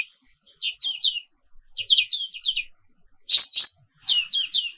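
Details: Black-capped white-eye, an Indonesian endemic, singing in the morning: clusters of three soft, falling chirps, then a loud harsh double squeal, followed by another chirp trio.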